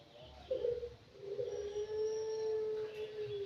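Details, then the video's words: Aviary-kept anggungan aged five months utters a soft low note, then a long, drawn-out, pure, cooing whistle sliding slightly downward; quiet background. "BURUNG ANGGUNGAN USIA 5 BULAN"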